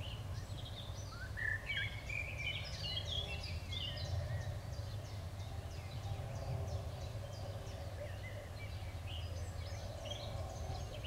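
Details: Eurasian wren nestlings in the nest beg with thin, high cheeps and fast runs of ticking squeaks, fairly faint over a steady low rumble.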